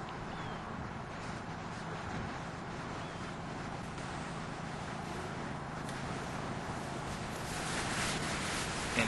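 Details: Steady broadband wind or engine rumble with a faint low hum throughout, and no clear animal calls.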